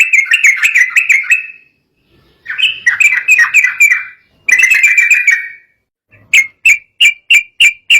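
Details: Agitated sooty-headed bulbul song said to make rival birds call back immediately; three bursts of rapid bubbly chatter with pauses, then a regular row of sharp whistled notes about two per second.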